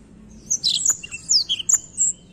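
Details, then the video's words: Black-throat song phrase of high, thin slurred whistles and quick chirps, a few notes dipping lower, over a quiet low hum. "a bela canção do pássaro blackthoat"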